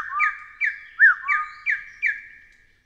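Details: Short burst from a Taiwan hill partridge, six whistled notes in quick succession, each a bright upswept note over a lower drawn-out tone, fading away at the end.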